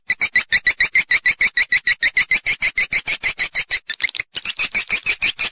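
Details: Swiftlet calling sound (suara panggil or inap), in stereo: a rapid, steady run of sharp, ringing chirps, about three a second, with high bright overtones, briefly broken near the end, then resuming.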